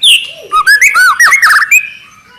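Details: Juvenile white-rumped shama in full song, giving a high clear whistle followed by a quick tumbling series of warbled, rising and falling whistled phrases with a few harsh chattering notes.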